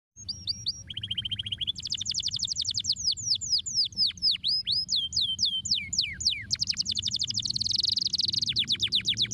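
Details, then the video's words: Canary song used to stimulate other birds: fast varied phrases of sweeping high notes, rapid trills and buzzy rattles shifting every second or so, over faint low background hum. "estimular rapidamente o som do chilrear canário atolado"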